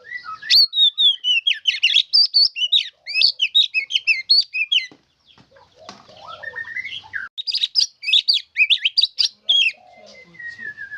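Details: Song of a white-rumped shama carrying isian fill-in: dense high, sweeping whistled phrases and quick chips, a short pause, then a descending slurred series and a second burst of varied rapid notes.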